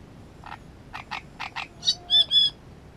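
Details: Great reed warbler delivering low, rasping croaks in quick succession that switch to loud, ringing, whistled double notes at the end, clear and close.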